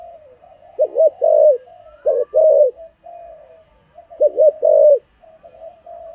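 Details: Spotted dove singing in the 'thổ' voice style as a decoy bird: low, mellow coos with a wavering double note and a longer rolling coo, heard twice, with soft humming coos between phrases.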